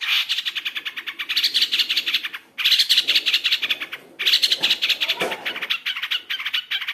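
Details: Lure recording of a Long-tailed shrike for caged birds: continuous rapid chatter of rasping pulses in long phrases, each ending with a brief pause before the next burst starts.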